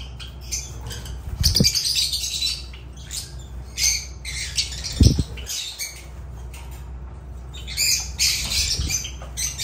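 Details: Agapornis lovebirds calling in scratchy, shrill squawks in irregular bursts, several birds overlapping, with occasional sharp knocks or taps and a low background hum.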